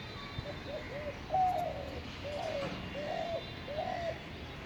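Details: A Spotted Dove in North Kolkata, India, on 10 February 2021 gives soft, hollow coos, about five low arched notes over four seconds, against a steady background hiss.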